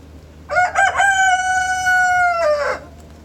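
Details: A rooster crows in the morning: three quick rising syllables lead into a long, even, strongly harmonic note that bends downward at the close, roughly two seconds overall.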